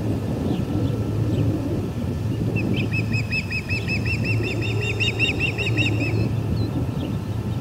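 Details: Osprey at the Charlo P2 nest, July 14, 2020, 2:20 pm MDT, as another intruder lands in the nest: a rapid series of high, repeated chirps for about three seconds over constant wind rumble.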